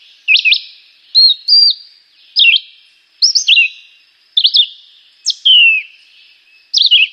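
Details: A young Chivi vireo sings short, varied whistled phrases, each quick and slurred, with brief pauses of about a second between them; no other sounds intrude.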